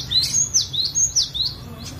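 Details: Cinereous tit song used to train other birds to sing: high whistled notes sweeping up and down, about five phrases in two seconds, over faint low background hum.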